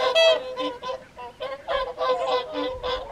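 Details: Whooper swans at WWT Caerlaverock's Folly Pond for the evening feed, January 2023; separate honking calls from several birds, short nasal notes in quick succession with brief gaps between them.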